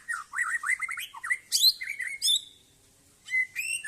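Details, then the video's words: Aceh-type white-rumped shama in a yard, pouring out a rich, fast run of looping whistles and sharp high notes, then a short silence before resuming with bright rising phrases. "Murai Aceh"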